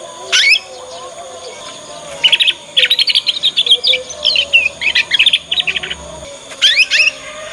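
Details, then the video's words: A young Yorkshire canary learning its ngriwik sound serves as a lure for other canaries. A quick high note opens, then a long run of fast, bright twittered chirps and trills, ending with another short burst over a faint hum. "Kenari Manapun Pasti Nyaut dengan pancingan masteran kenari paud ini"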